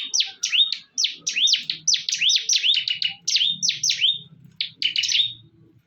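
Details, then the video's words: Bar-winged prinias in a fierce fight, giving a fast run of loud swooping notes, each dipping then rising sharply, repeated several times a second with brief gaps, low background hum beneath. "PERTARUNGAN SENGIT BURUNG CIBLEK"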